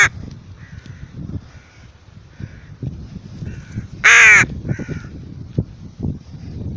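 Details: A tame rook on its way out for a walk gives a single loud, harsh, harmonic caw lasting under half a second, amid a series of softer nasal calls and low rustling handling noise.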